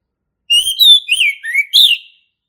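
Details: Forest recording of a male orange-headed thrush giving a ngeplong song: a smooth, slurred whistled phrase lasting under two seconds, rising and falling, ending on a higher, bright note.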